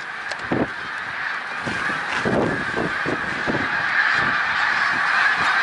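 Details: A big flock of snow geese calling at Middle Creek Wildlife Refuge, Pennsylvania, March 1, 2021, with rapid, overlapping high nasal honks forming a constant clamour and a few louder yelping notes breaking through the din.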